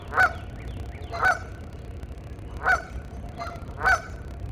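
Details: Geese calling to each other in a mating call: five loud, nasal honks spaced about a second apart, each short and brassy, over a low background rumble.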